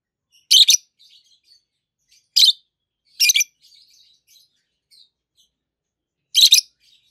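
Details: Two healthy adult peach-faced lovebirds, green, one red-faced and one yellowish white-faced. Loud, piercing, raspy chirps arrive in four bursts, some doubled, separated by soft twittering in between.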